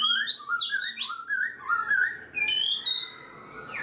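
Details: Black-throated laughingthrush, a bird caged for four months, singing rich, continuous whistled phrases that step up and down, with higher clear notes layered on top.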